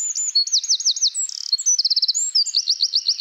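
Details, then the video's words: Eurasian wren in full song: a continuous, high, ringing stream of rapid looping trills and a brief dry rattle, delivered loudly without pause. "Eurasian wren | Troglodytes troglodytes"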